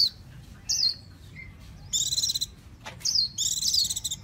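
A Japanese white-eye sings high, thin, rapid twittering phrases in short bursts, with sweet down-slurred whistles between them over a faint low hum.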